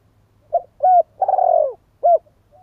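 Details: Low cooing phrase from an oriental turtle dove: a short note, a firmer coo, a long throaty rolling purr that falls away, then one final coo, in a quiet setting.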